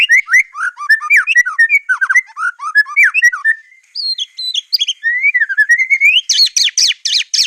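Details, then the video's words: Varied 'tembakan' song of a white-rumped shama, a clear competition master for copying: rapid jumbled slurred notes and chattering, a pause, rising whistled phrases, then a dense burst of high buzzy strokes. "Masteran murai batu ful tembakan kicau prestasi jernih mudah di tiru"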